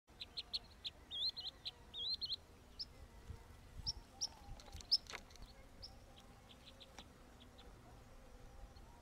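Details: Ethiopian bee-eater, a subspecies of the blue-breasted bee-eater, filmed at Bahir Dar, Ethiopia, on 5 May 2022: quick high chirps and short trilled notes in a cluster, then scattered fainter chips, with soft rustling outdoor background.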